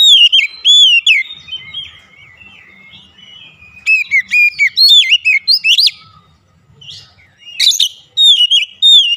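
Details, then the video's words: Oriental magpie-robin singing, used as therapy for a bird that has stopped singing: bursts of clear, rapid whistled notes, many rising then dropping, separated by quiet gaps of about two seconds. "terapi mengatasi Kacer macet bunyi langsung gacor"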